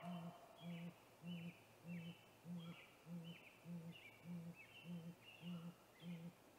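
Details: Male great grey owl calling before visiting a snag tree nest at 8:45 pm on 21 April 2019, filmed by a live nest camera: deep, even hoots repeated about every 0.6 seconds, with higher whistled songbird phrases in the background.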